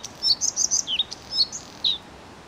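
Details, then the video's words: Short Bluethroat phrase of loud varied high chirps, twangy downslurred notes and a final drawn-out slurred note, with soft hiss behind. "The song of the Bluethroat"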